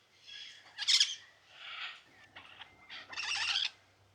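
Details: White-fronted amazon (Amazona albifrons) in a cage at a bird sanctuary in Copán Ruinas, Honduras, gives harsh raspy squawks and chattering bursts, several loud calls over four seconds, with a faint low hum behind.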